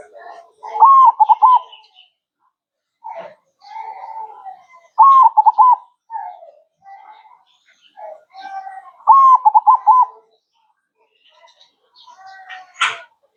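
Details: Zebra dove, locally perkutut, repeating its manggung song three times roughly every four seconds, each a held coo followed by rapid rolling beats, with softer coos and chirps between and a sharp click at the end.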